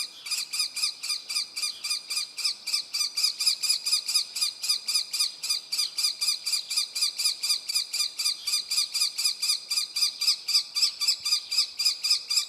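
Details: Young common kestrel calling, a fast steady series of sharp, harmonic squealing notes, about four per second, held without pause throughout with little background sound.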